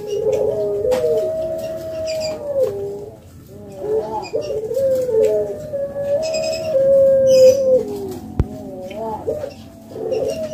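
A spotted dove gives soft, low, hollow coos in drawn-out phrases with slight rises and falls, while faint chirps of other small birds sound in the background.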